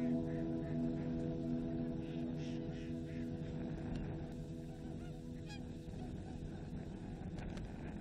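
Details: In winter at Natsumeno-seki pond, Chiba Prefecture, Japan, a gathered flock of migratory tundra swans honks and bugles in overlapping, nasal calls over a steady low droning hum.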